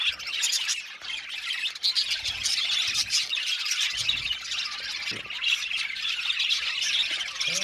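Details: A flock of budgerigars kept in an aviary, chirping nonstop: a busy, scratchy warbling chorus of overlapping high notes, with faint low knocks now and then.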